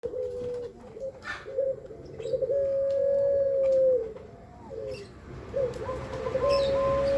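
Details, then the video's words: Pelung dove sunning itself for its health, giving long steady low coos, each drawn out and level, with short stuttering notes in between and faint rural background noise. "burung puter pelung dan kres pelung"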